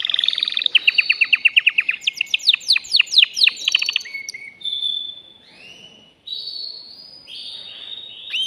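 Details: Caged male canary song to stimulate a female for mating: quick repeated notes, then sweeping descending slurred notes, followed by long smooth whistles rising and falling at intervals.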